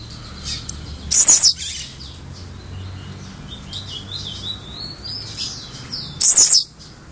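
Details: Two explosive buzzy song bursts from an albino blue-black grassquit, roughly five seconds apart, with wavering high whistles of other birds between them.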